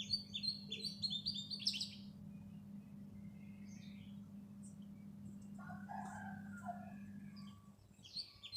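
Bright, high chirps in quick bursts from a black sparrow, then scattered single notes, with a lower, fuller bird call midway over a steady low hum.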